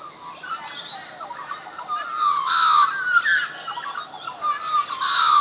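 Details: Australian magpies carol at Coffs Harbour in rich, fluting, warbled phrases that slide and overlap, with bright gurgling notes rising in loudness toward the end.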